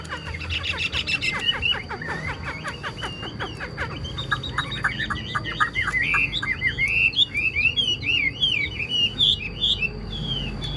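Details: Chinese hwamei kept as a cage bird, singing: a burst of rapid clipped notes gives way to fluid, rising whistled phrases that zigzag higher and faster toward the end, against low background noise.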